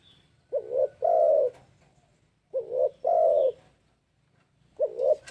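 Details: A spotted dove used as a lure coos three times at roughly two-second intervals. Each phrase is a short rising coo pair and then a sustained, rich coo, with a faint whistle early on.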